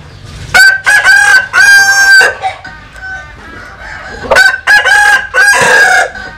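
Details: Roosters, Vietnamese and American Sil birds, crowing loudly: a long, ringing, multi-part crow with a sustained harsh tone is answered by another similar crow a few seconds later.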